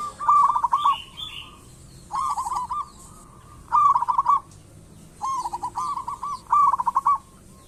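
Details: Local zebra dove singing persistently, used as a lure to prompt other zebra doves to sing: five short phrases of rapid, stuttering, pulsed cooing notes at a steady mid pitch, each under a second, separated by brief pauses.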